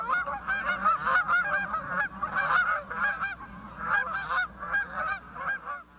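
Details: Canada Goose flock honking: loud, nasal, resonant honks from several birds overlapping in ragged bursts, rising and falling in waves for the whole stretch with barely a pause.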